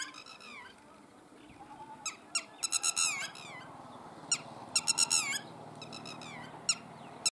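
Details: Red-wattled lapwing in Balochistan giving loud, sharp, strident notes in quick bursts of three or four, separated by short pauses, over a steady background hiss.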